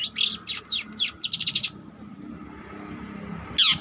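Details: Young long-tailed shrike learning to sing gives a quick burst of squeaky, buzzy notes for under two seconds, falls quiet, then adds one loud harsh note at the end; low background rumble.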